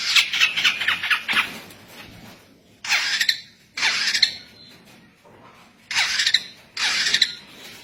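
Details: Local long-tailed shrike with a song said to be unusual among shrikes: harsh, scratchy broadband bursts, a rapid chattering run at the start, then separate rasping phrases about every second or so.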